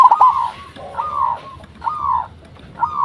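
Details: Local zebra dove in full song, recorded as a lure to make other zebra doves answer. Mellow, slightly falling coos repeat about once a second. Between the phrases there are a few softer lower notes.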